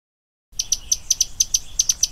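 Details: Common tody-flycatcher (Todirostrum cinereum) giving a series of sharp, high, dry ticks, about five per second, each a brief click after a moment of silence, over faint low background hiss.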